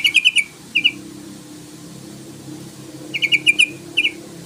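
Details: Yellow-vented bulbul call meant to stir a rival to sing. Two clusters of staccato, high chirps, each a fast run of four notes plus a short pair, separated by roughly two seconds of quiet hum.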